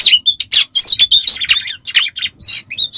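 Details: Oriental magpie-robin (kacer) pouring out a lure song of harsh besetan kasar phrases: grating buzzy bursts mixed with high whistled slurs and chirps, delivered quickly with short gaps.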